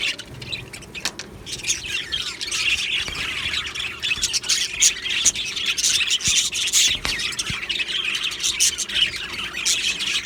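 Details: Australian budgies in an aviary colony, described as happy, chirping together: a dense, continuous wash of high, scratchy twitters and squeaks overlapping without pause, with brief sharper clicks scattered through.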